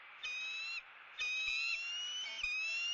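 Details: Eagle raising its young: three long, clear whistled notes with rich overtones, each held about half a second to a second, the second the longest and gently rising, over a quiet background.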